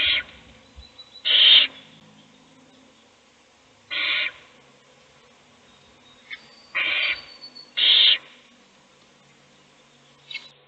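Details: An owl feeds a chick in a nest box while the rest sleep; five breathy rasping hisses of varying loudness, irregularly spaced, plus a few soft clicks.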